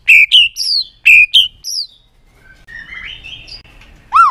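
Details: White-rumped shama song for exciting other shamas: loud bright chirped notes in quick pairs, a softer warbling passage, then one last strong rising note.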